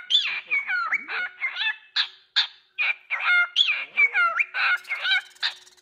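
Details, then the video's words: Cockatiel chattering: scratchy, nasal notes interleaved with sliding whistles, repeated rapidly and irregularly for several seconds. "Enchanting Cockatiels Singing Various Songs"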